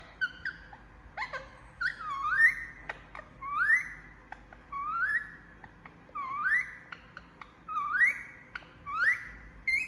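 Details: Sleeping pet Indian ringneck (rose-ringed parakeet, Psittacula krameri) gives soft, rising whistled notes, each a short upward slur repeated about every two seconds, in a quiet indoor room.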